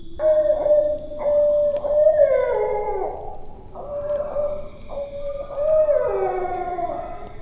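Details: Barred Owl hooting at night, giving two rhythmic, speech-like phrases, 'who cooks for you, who cooks for you all', each ending in a drawn-out, falling 'all'.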